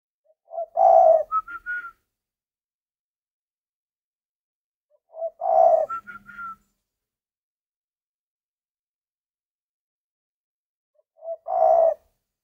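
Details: Three song phrases of a spotted dove, spaced about five seconds apart, each opening with a deep throaty coo and ending in quick higher notes, with silence between.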